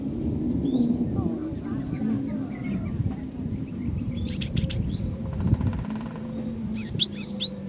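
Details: Female cinereous tit calling to attract and stir up males. Two short bursts of sharp, high, rapidly repeated chirps stand over a steady low hum and background noise.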